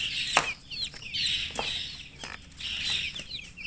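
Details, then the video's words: Newborn chicks peeping loudly, a flock of high, thin chirps that slide up and down, overlapping and scattered, with a few sharper bursts standing out. "chicks chirping sounds Just Born Baby Gallina FRACAS Chicks Piar Loudly Sound"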